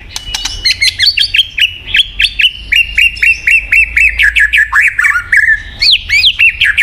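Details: White-rumped shama singing, used as a prompt for a quiet bird: a fast, steady string of short sharp whistled notes and chips, about three per second, with occasional slurred swoops.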